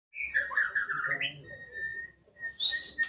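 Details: White-rumped shama in the wild in Indonesia singing: a whistled phrase slides down then climbs in rippling notes, a thin high tone and a steady mid whistle follow, then a bright high flourish ends it.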